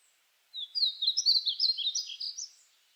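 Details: A painted bunting delivers one continuous high warble, about two seconds of quick, tumbling, slurred notes, clean against silence.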